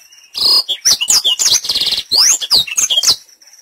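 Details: Lure recording of a black-throated canary to spur birds into frequent song: continuous loud, rapid high twittering with swooping whistled slides and rattling trills, phrases packed tightly for about three seconds before fading.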